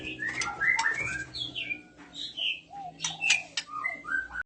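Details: Female oriental magpie-robin in breeding condition, with males responding, gives a lively series of clear whistled slurs and chirps, some rising and some falling, with a few clicks and a faint low hum.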